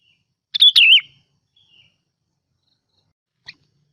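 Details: Decoy sooty-headed bulbul giving one brief, loud, slurred phrase that wavers downward, followed by near silence and a faint click at the end.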